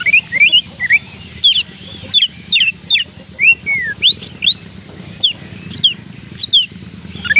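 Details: Oriental magpie-robin song intended to make reluctant birds sing: a continuous series of loud, varied whistled slurs, rising and falling, each note crisp and separated by short gaps, with faint low hum beneath.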